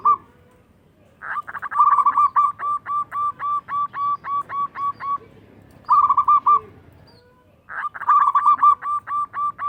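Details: Loud local zebra dove singing to stir rivals into replying: a short clipped trill, then a long fast series of uniform, rounded notes, a second short trill and another running series, over faint background hum.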